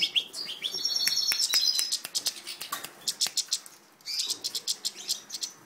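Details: Captive-bred European goldfinch in full song: a run of high liquid twitters and a buzzy trill, breaking into rapid clicking ticks, then another burst of bright chattering notes.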